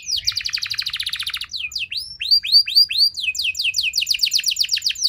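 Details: Canary singing to draw out other canaries: a short, fast mixed trill, then clear, arching whistled notes in steady succession, ending in rapid high chipping phrases.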